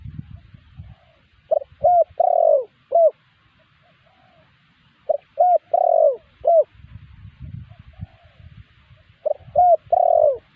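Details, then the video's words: Lure call of the spotted dove, meant to draw wild doves to reply: three phrases of short, rising and long falling coos, roughly four seconds apart, with quiet gaps and some low rumble. "suara pancingan burung tekukur burung liar pasti nyaut"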